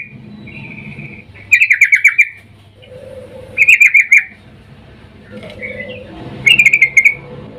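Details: Sooty-headed bulbul female calling a male while in breeding mood, used as a lure: three short bursts of rapid, rattling chatter spaced about two and a half seconds apart, with softer whistled notes between them.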